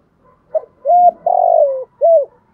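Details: Spotted dove lure bird in thúc gù cooing: a short soft lead-in, a level mellow note, a long descending buzzy coo, and a final short arched coo.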